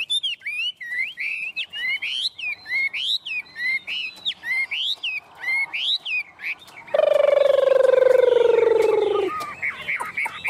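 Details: Chinese hwamei, tame and in full voice on a person's hand, delivers evenly spaced rising-and-falling whistled phrases, several a second. A loud, harsh, drawn-out buzzing sound then cuts in for about two seconds before the whistling resumes.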